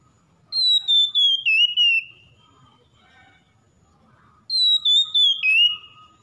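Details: Oriental magpie-robin singing, offered as therapy for a stressed bird reluctant to sing: high, clean whistles falling in pitch, delivered as rapid stuttered groups of five or six notes, with two such phrases split by a silent gap.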